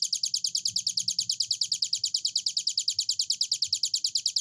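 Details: Hill prinia singing a long, persistent run of high, clipped notes, fired in a steady machine-like rhythm several times per second, with a soft low background murmur.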